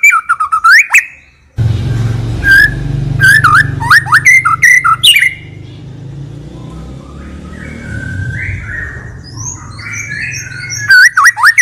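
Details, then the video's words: White-rumped shama singing in bursts, valued as a trigger for other birds: twisting whistled phrases at the start and close, separated by a long stretch dominated by a passing engine rumble with faint notes above it. "MURAI BATU PILIHAN GACOR TERUS FULL ISIAN MEWAH FULL TEMBAKAN DURASI, SANGAT COCOK UNTUK PANCINGAN."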